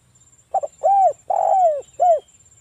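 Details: Spotted dove of a local strain, played to make silent doves start calling: a doubled short note followed by three rounded, mellow coos, the middle one longest and falling at its end, over a faint continuous high-pitched hum.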